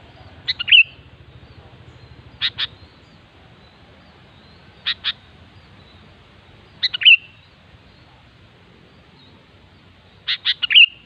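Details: Sooty-headed bulbul in the wild repeats short, sharp double chips and brief bubbly warbled phrases every two to three seconds over a steady low background hum.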